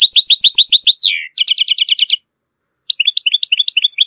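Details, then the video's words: Model song of a Moroccan European goldfinch for teaching chicks and hybrids: a row of bright repeated chirps, a descending slur, a fast metallic trill, a short silence, then lighter twittering notes. "ساعة من تغريد الحسون القوي و الممتاز و الخالي من لاخطاء لتسميع فراخ الحسون و الهجين"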